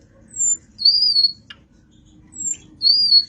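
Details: Nightingale singing: a few clear whistled phrases, high and slightly wavering, separated by short pauses, with one brief lower chirp in the middle and faint low background hum.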